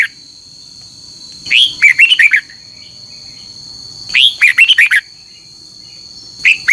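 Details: Red-whiskered bulbul morning training song, a lure to push other birds into contest singing; three bursts of quick, sweet descending whistles roughly every two and a half seconds, accompanied by a continuous high electronic hum.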